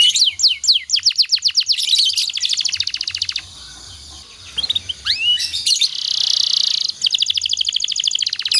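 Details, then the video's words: Canary song used as master song to train other canaries: fast trills of repeated high chirps and sweeping whistled notes, a pause of rattling buzz in the middle, then a dense buzzy roll and renewed rapid trilling. "suara burung kenari Ini sangat ampuh buat masteran segala jenis burung kenari agar cepet gacor"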